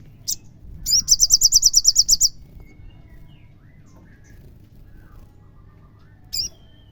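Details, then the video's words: Olive-backed sunbird song played to provoke a caged bird into singing: a brief high chip, then a fast run of about a dozen sharp high notes over a second, and a lone chip near the end, with soft whistles from other birds behind. "SOGONMU langsung emosi NYAUT GACOR jika DENGAR SUARA SOGON ini"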